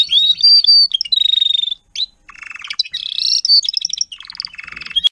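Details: Adult Timbrado canary tutor singing for young canaries in 2021 training: long whistled note, then fast clicking trills, warbled phrases and a buzzy rolling tour, with a brief pause near two seconds.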